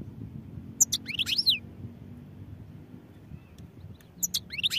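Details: European goldfinch song in two brief phrases: sharp high clicks leading into quick falling, slurred whistles, then a long quiet gap before a second twittering burst, over low background noise.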